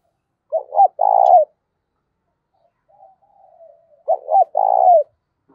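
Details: Spotted dove kept as a decoy to attract wild doves, in the 'giọng thổ' voice style: two repeated coo phrases about three seconds apart, each a brief double note and then a sustained, mellow coo, with a faint wavering sound between.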